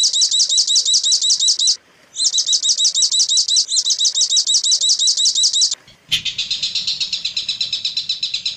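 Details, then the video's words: Long-tailed shrike song used to train other shrikes: loud, rapid looping whistled trills in bursts of about two seconds, then a harsher, buzzy chattering phrase. "suara masteran burung cendet paling di cari"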